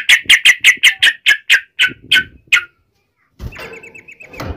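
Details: Yellow-vented bulbul 'ngalas uplik ropel' fighting song for drawing responses from other bulbuls: about ten evenly spaced loud, clipped chirps that slow and fade, followed by a softer wavering note over background noise.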